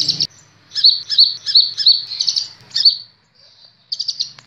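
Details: Master song of a kolibri ninja sunbird for training captive birds: a series of evenly spaced, ringing high chirps, then a soft thin note and a fresh burst of quick twitters, with a faint low rumble.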